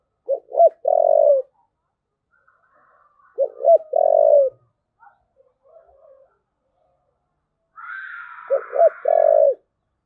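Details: Three 'thúc gù' coos from a spotted dove, each two short low notes then a long held note, spaced about three and a half seconds apart, with a brief harsher rooster-like call just before the last phrase.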